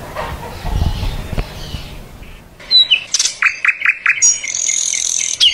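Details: Mockingbirds (cenzontles) recorded in Berriozábal, Chiapas, Mexico, sing a quick run of four or five bright, downslurred notes, then high thin whistles, over a low murmur of background noise.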